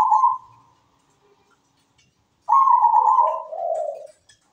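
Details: Zebra dove singing with a melodious voice. A short fading trilled coo, a quiet pause, then a strong phrase: a higher rolling trill that drops into a lower, throaty bubbling coo.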